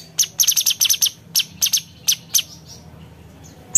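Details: Blue-winged leafbird, locally cucak cungkok, in piercing high chip notes delivered in quick irregular groups then thinning out, used as a tutor recording for competition songbirds.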